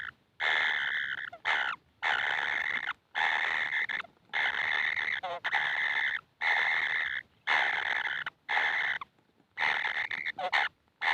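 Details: Baby kingfishers begging nonstop for food: rough, buzzy rasps about once a second, each broken off by a short gap, in a steady insistent series.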